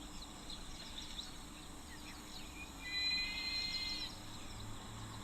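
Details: Juvenile African Fish Eagle in a tree at a waterhole, 10 March 2025, gives a thin, high, strained whistle of about a second, a strange call not yet the proper adult call; softer bird chirps and steady outdoor hiss behind.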